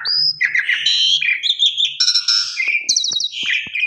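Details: Asian pied starling (jalak suren) lure song for breaking the fast, meant to set other starlings singing: a rich jumble of clear whistles, a rising slur and buzzy chattering notes, with a quick trilled burst near the end.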